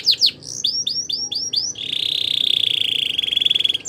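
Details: Belgian canary song used in canary training. A few sharp descending chirps lead into a series of evenly repeated arched whistles, then a long, rapid, steady rolling trill.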